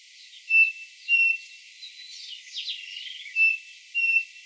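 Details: Brazilian Cerrado birdsong: short bright level whistles about every half second to second, with a burst of rising and falling chirps in the middle.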